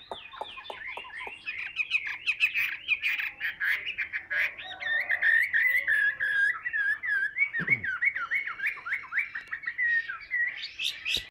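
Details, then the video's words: Chinese hwamei held in hand singing a long continuous run of loud, varied whistled notes and rapid warbled phrases, with a brief sharp knock partway through. "HM 203 ngũ trường siêu mẫu đấu xòe cầm tay hót"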